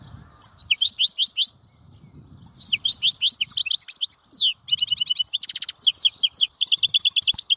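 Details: European goldfinch singing in bursts: tinkling high twitters, a brief pause, then an extended run of buzzy trills and rapid rattling chirps continuing to the end.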